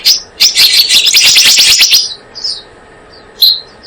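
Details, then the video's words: Blue-eared kingfisher luring sound: a dense two-second trill of piercing high notes, followed by a few thin, isolated whistled notes. "Suara pikat burung selendang biru"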